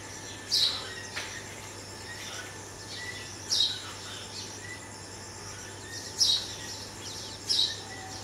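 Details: Red-vented bulbul fledgling, saved from a cat that raided its nest and moved to a first floor, being fed by its parents; filmed on a Canon 80D. Four sharp, high chirps about every two to three seconds over a steady insect hiss and faint low hum.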